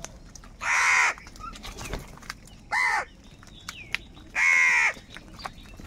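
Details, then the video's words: Crows calling angrily for food: three harsh, drawn-out caws about two seconds apart, the middle one shorter, with scattered clicks behind. "Angry kauwa ki awaaz | Crow bird unity anger and sound for food"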